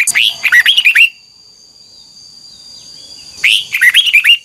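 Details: Red-whiskered bulbul song for coaxing double-note phrases: a one-second run of quick, bright, bending chirps, silence with a thin steady tone, then a second matching phrase.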